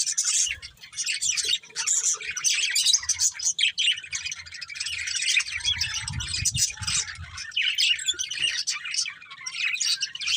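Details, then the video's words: A family of pet budgerigars chirping nonstop, a dense overlapping chatter of high warbles and squeaks from several birds, with a short low thump partway through. "Cute Budgies Chirping Sounds"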